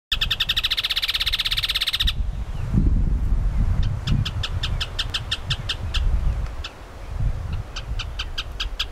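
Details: Rufous hornero at Lomas de Arena Park, Santa Cruz, Bolivia, giving loud, rapid, ringing notes in fast bursts, then spaced strident notes about four per second, over a steady low rumble of wind or distant traffic.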